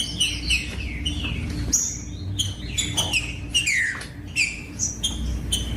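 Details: Green-winged saltator (trinca-ferro) singing, a song played to warm up and stimulate other saltators to sing: clear whistled, downslurred notes in short phrases, with sharp clicks and a steady low hum behind.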